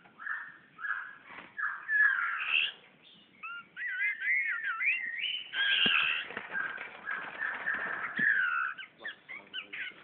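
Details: Magpie-robin singing toward a mirror in Brunei, 2013: loud, varied whistled song of fluty, warbling phrases, some rising, some wavering, delivered almost continuously for ten seconds with brief pauses between bursts.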